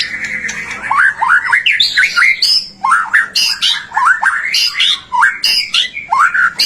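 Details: White-rumped shama (murai batu) in full, prolific song, used to prompt other shamas to sing: loud varied phrases of slurred whistles and harsh squawky notes, rising and falling, bursts about once a second, with a faint low hum beneath.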